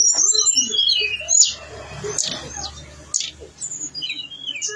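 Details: Tledekan gunung (blue-winged leafbird) singing energetically with its mimicked inserts: a quick burst of high twittering at first, then sparser chirps broken by loud clicks.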